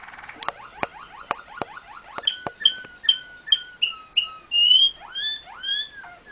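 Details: Belgian (Malinois) Waterslager canary opens with a dry rattling tour of sharp repeated notes, then shifts to clear, bubbling whistled phrases that slur up and down.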